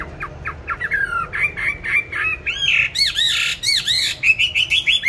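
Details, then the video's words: Caged songbird, bought 19 May 2020, kept on steady feed and said to sing anywhere and at any hour, delivers a fast run of high sweeping whistles, slurred arcs and sharp chirps in rapid bursts. "Chăm chim đều tay ,cám ổn định hót mọi địa hình ,mọi giờ giấc"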